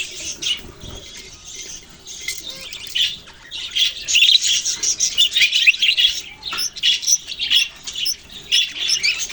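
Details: Several budgies recorded on November 6, 2023, keep up a dense, high chirping chatter. Bursts of overlapping squeaky notes swell and fade, growing busier after the first few seconds.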